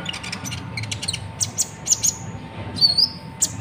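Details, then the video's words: Konin from Natuna, said to suit training other birds, uttering its characteristic sound: sharp, piercing high chirps and brief whistled slides clustered irregularly, several per second at times, over a faint steady hum. "Burung Konin Natuna Dengan Suara Khasnya ⁉️ Cocok Buat Masteran"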